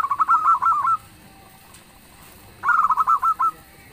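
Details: Local zebra dove singing loudly and persistently, a song said to make other doves answer: two bursts of rapid, rolling cooing notes, slightly rising then falling, separated by about a second and a half of quiet.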